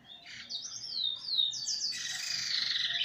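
A Eurasian bullfinch sings clear, sweeping whistles that rise and fall, then a second bird joins in a dense, overlapping chorus of high notes.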